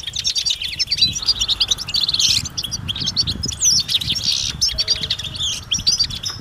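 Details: European goldfinches calling as a group outdoors, mating calls to stimulate males: dense bright twittering and quick whistled notes with buzzy bursts, over low rumbling noise.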